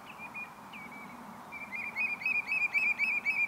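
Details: A red knot at the Bergerden greenhouse area gives short whistled notes, quiet at first, then a quick regular series of about four per second, over a low steady rumble.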